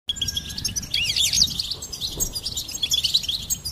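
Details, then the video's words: Goldfinch singing for bird stimulation: dense, high twittering with bright trills and sharp chirps, a loud burst near the middle and another at the end, over faint low background rumble. "Charming Goldfinch Peep Fun for bird stimulation birds chirping"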